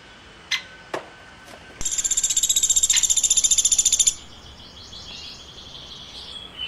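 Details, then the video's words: Woodpecker chirping: a few sharp clicks, then a steady run of rapid, high, buzzy chirps lasting about two seconds at nearly four per second, fading into faint soft twittering. "Woodpecker Chirping"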